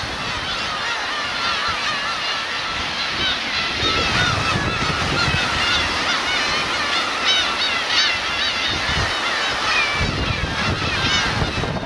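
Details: Black-tailed gulls, parents with chicks, on the Kurosaki coast of Teuri Island, Hokkaido, Japan, 13 June 2021; a dense chorus of overlapping nasal, mewing calls from many birds, steady throughout, with surf and wind rumbling underneath.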